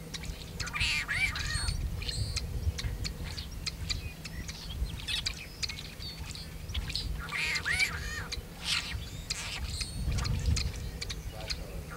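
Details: Male tricolored blackbird recorded near Kern National Wildlife Refuge, California, on 26 February 2003, singing and calling. Two prominent raspy, twanging song bursts about six seconds apart stand out among constant chattering calls and a low hum.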